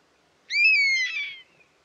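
A European honey buzzard gives a single plaintive, whistled call lasting about a second, rising briefly then sliding slowly down and roughening at the end. No other sounds.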